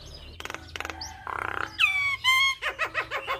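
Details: Javan myna song stuffed with mimicked inserts, played to make other mynas reply: dry ticking bursts, a harsh rasp, bright nasal whistled notes and a quick run of repeated chattering notes.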